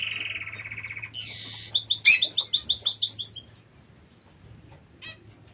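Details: King quail, also called Chinese or dwarf quail, kept in an aviary: a quick, steady pulsed trill, then a loud, high, buzzy note and a fast run of high, sharp repeated chirps that stops abruptly, leaving faint chirps.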